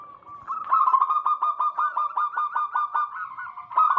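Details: Wild local zebra dove singing, played to lure in wild doves: one soft note, then a steady run of about a dozen rapid, slurred cooing notes at even pitch, ending with a fresh phrase.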